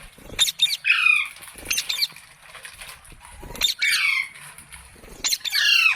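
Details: Pet ringneck parrot giving harsh, high downslurred screeches, each preceded by sharp clicks or rustles, repeated roughly every two seconds.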